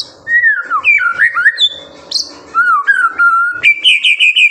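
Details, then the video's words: Loud White-rumped shama master song for training juveniles: a nearly continuous run of liquid whistles, long level tones and quick slurs, ending in rapid high bright notes. "MASTERAN MURAI BATU GACOR SANGAT COCOK UNTUK MEMANCING EMOSI MURAI BATU MUDA ATAU TROTOLAN AGAR CEPA"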